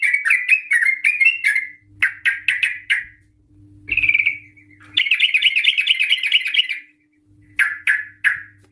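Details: Female sooty-headed bulbul used as a lure for other bulbuls, giving bursts of bubbly, chattering notes in quick runs, with one long rapid warbling trill, separated by short pauses.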